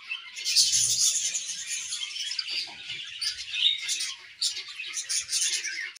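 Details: Morning warbling from a budgie pair kept in an aviary: a continuous, busy stream of high chirps, twitters and scratchy chatter with no pauses.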